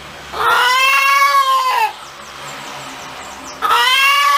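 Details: Chicken cackling with a long, harmonic-rich, arched squawk of more than a second. After a short quiet gap a second drawn-out note begins.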